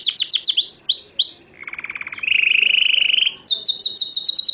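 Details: Canary in Morocco, 2012, singing descending swept notes, then a low buzzy rattle and a brighter rolling trill, ending with a quick burst of high repeated chirps.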